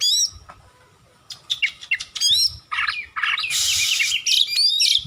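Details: Kacer (oriental magpie-robin) masteran song: clear whistled notes and quick chips, building into a harsh, buzzy, scratchy rattle mixed with rapid warbling.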